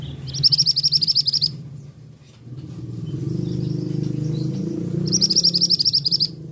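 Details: Two rapid bursts of bright, high, staccato notes from a male scarlet minivet, each about a second long and several seconds apart. A low steady humming drone continues beneath.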